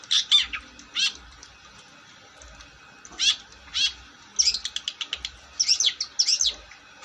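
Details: Long-tailed shrike singing vigorously: clusters of sharp, scratchy high notes and rapid chattering bursts, delivered in irregular phrases with short pauses between, against a quiet background.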